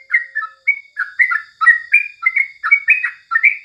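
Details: Yellow-vented bulbul in morning song, used as a tutor recording: a dense string of warbled, bouncing whistles, each note sliding up or down, delivered in rapid succession.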